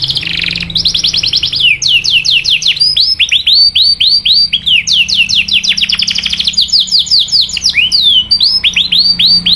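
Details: Canary singing a 'cuit cuit' style song meant to stir other canaries into long rolling song: rapid series of bright, descending whistled notes, repeated in quick runs with brief pauses and a few short buzzy trills.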